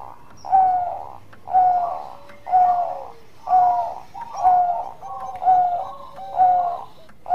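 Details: Bangkok-type zebra dove, actively singing in the engkel song style, used to stimulate breeding mood: soft, mellow cooing phrases repeated steadily about once a second, each a bubbly burst ending in a clear hooted note.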